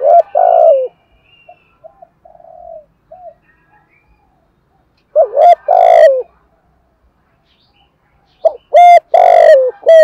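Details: Spotted dove used as a decoy to call in other doves. Three loud low cooing phrases, each a short hoot then a longer falling coo, separated by quieter distant coos.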